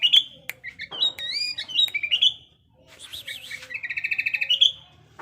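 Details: Sooty-headed bulbul in breeding condition singing varied whistled notes, some sliding up. After a short pause comes a fast, buzzy string of repeated notes, with faint low hum behind.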